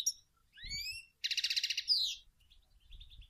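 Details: A female European goldfinch calls and sings to stimulate males to sing: bright rising twitters, then a fast buzzy trill of about ten notes and a slurred whistle, ending in soft quiet chatter; faint low thumps underneath.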